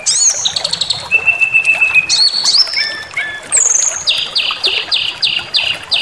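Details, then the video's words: White-rumped shama provocation song meant to make listening birds rage and sing their repertoire: assorted whistles and long flat tones, then a fast series of about eight identical sharp repeated notes. "Pancingan Emosi SRDC Awas Ikut Ngamuk Bongkar Materi"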